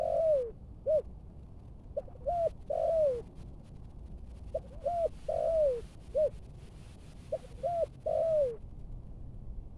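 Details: Decoy-trained spotted dove of Malaysian strain, Bình Dương, Vietnam, delivering thúc gù coos: three phrases, each of short paired notes leading into a drawn-out falling coo, steady low background rumble.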